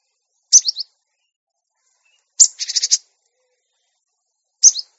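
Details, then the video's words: Cinereous tit master recording used to train caged birds to sing often and grow tame: short high descending note groups spaced about two seconds apart, the middle one a scratchy buzzing rattle, with silence between. "Masteran Gelatik Batu Bahan Supaya Cepat Bunyi Gacor Dan Jinak"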